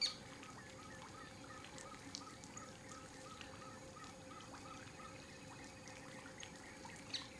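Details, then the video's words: A hunting Ferruginous Pygmy-Owl sings a long, steady series of short whistled toots, about three per second, while other birds chirp thinly above a low background hum. "o pequeno caburė caçando e cantando também"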